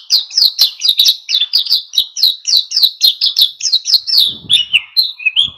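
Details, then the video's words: Oriental white-eye singing vigorously in wild style, used to provoke other birds into singing; loud, rapid series of sharp chirped and trilled notes repeated without pause, ending in a few lower slurred whistles. "SUARA PLECI GACOR NGALAS PANCING EMOSI BURUNG LAIN IKUT GACOR"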